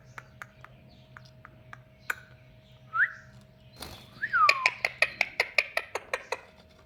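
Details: A pet rose-ringed (ringneck) parakeet outdoors gives a few short whistles, then a burst of rapid sharp clicking notes about three per second, with a steady low hum behind.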